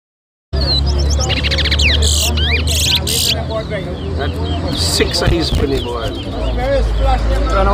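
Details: Large-billed seed-finch (towa towa) singing at a bird whistling competition in Lusignan, Guyana: bright whistled notes and rapid chirps at a steady quick pace, over loud crowd chatter, music and a low engine-like hum.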